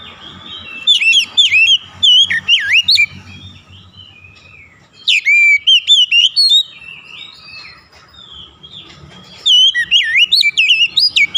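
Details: Oriental magpie-robin singing loud, rich whistled phrases in three bursts separated by quiet pauses. The notes are sweeping, slurred and rapidly varied, rising and falling high in pitch, with a faint low hum underneath.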